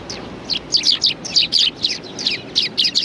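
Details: A group of Eurasian tree sparrows on a bench at a Tenmangu shrine, Japan, 30 January 2020, give loud rapid high chirps about four per second, each a short double note, steady throughout with low outdoor rumble.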